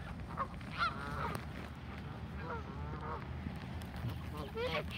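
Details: Canada geese calling while a flock is fed, with nasal honks every second or so, some rising sharply, and a constant low background rumble.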